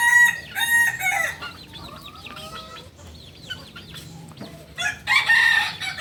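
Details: Kukuak Balenggek chicken, a native singing rooster breed from Solok, crowing at dawn: short harmonic crow bursts at the start and near the end, with many small chirping birds calling in the quiet gap between.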